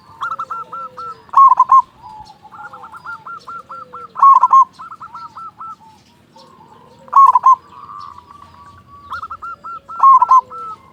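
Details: Local zebra dove song used as a lure to spur other doves to sing; soft rolling trilled coos broken by loud clipped coo bursts about every three seconds, with faint background chirps.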